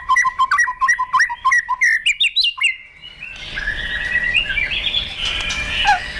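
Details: White-rumped shama provoked into fighting song: a quick series of clipped, repeated two-tone notes and whistles, then a noisier stretch of blurred warbling over rising background hiss.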